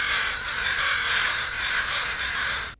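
An American Crow gives a harsh, raspy caw, drawn out for nearly three seconds, higher and thinner than a raven's croak, with no other sounds.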